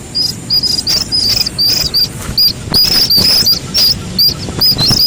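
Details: Chick of a Slaty-legged crake giving short, high, piercing peeps, each with a small upturned hook. They come in irregular bursts about three times a second over a faint low hiss.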